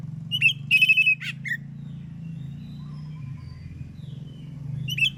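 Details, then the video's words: Oriental magpie-robin singing clearly in the morning so other magpie-robins respond: a bright phrase of short notes, a sustained flat whistle and a down-slurred note, with the next phrase starting after about four seconds, over a low hum. "KACER gacor NGEPLONG di pagi hari BUAT KACER lain NYAUT BUNYI AMPUH"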